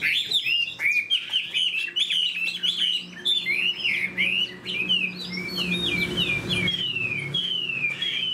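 A Chinese hwamei sings a rich, fast run of varied whistles and slurred phrases, rising and falling without pause, with a faint low hum underneath.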